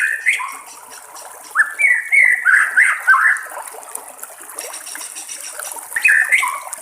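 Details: White-rumped shama singing in the wild near flowing water: melodious whistled phrases with slurred notes in two bursts separated by a softer pause.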